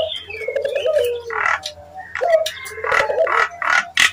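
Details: Provocation call of a Nias hill myna, meant to make other mynas answer: low, wavering whistles that fall away, mixed with short harsh noisy bursts and clicks.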